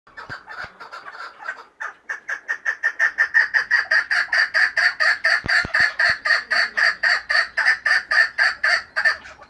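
A chukar gives a rapid, harsh series of clucking 'chuk' notes, about three per second, building steadily in loudness. A few faint clicks sound in the background.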